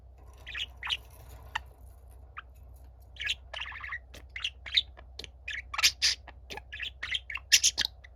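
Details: Two pet budgies: the younger sings while the gentle elder listens without a sound. Scattered chirps grow into a lively, squeaky warble with sharp high notes and clicks, over a low, steady background hum.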